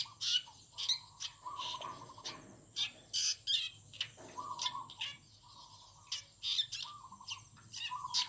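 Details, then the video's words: Garden birds singing in the morning: loud, piercing high chirps repeat at irregular intervals. Beneath them run longer low, trilling warbles that rise and fall, with several voices overlapping throughout. "Chim hót buổi sáng trong vườn Mộc Thủy!"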